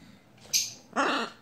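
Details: Pet blue-and-yellow macaw indoors, misbehaving and wanting to chew the sofa: a brief, shrill screech is followed by a longer, harsh, raspy squawk. Faint room sounds are audible around it.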